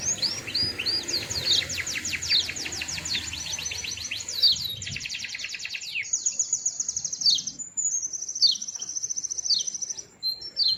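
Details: Sweet-sounding small white-eye delivering long buzzy rapid trills and high whistled runs, with steady background noise beneath.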